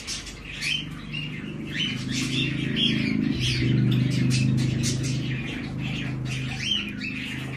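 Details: A hand-tame male white-bellied caique chick in Fukuoka, Japan, on 17 May 2024, gives rapid squeaky chirps and short squawks, several a second, over a steady low hum of room noise.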